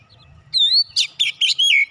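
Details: Oriental magpie-robin fighter-character therapy song: a clear rising-falling whistle followed by harsh chirps and a long descending whistled slur, loud over faint low noise.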